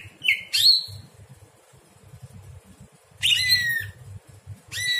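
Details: Night song of a greater green leafbird, recorded as tutoring material for other birds: sparse, sharp sweeping whistles, one at the start and another burst near the end, with a steady low throbbing background.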